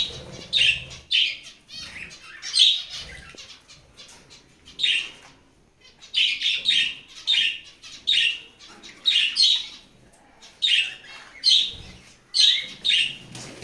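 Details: A breeding pair of budgerigars chirp in quick, scratchy bursts of high warbling notes, repeated every second or so.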